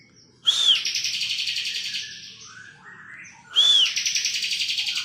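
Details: Two phrases of bar-winged prinia song, full ngebren: each begins with a curved whistled note, then a steady, quickly pulsing buzzy trill of nearly two seconds. Softer chirps fill the gap between phrases.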